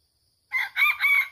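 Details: Red junglefowl, wild, at a reputedly haunted site with many junglefowl, during trapping; a loud, harsh crow in two or three rough syllables.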